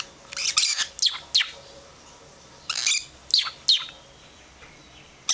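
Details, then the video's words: Lovebird babies of a second clutch, kept at home, giving a few loud rasping squeaks in two clusters separated by a quiet stretch of about a second and a half. "2nd Batch of Baby Lovebirds"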